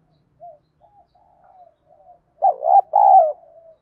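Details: Spotted dove with a bronze-toned voice, used as a lure to provoke fighting: faint, trailing low coos, then two loud, throaty coos close together, the second long and slightly falling.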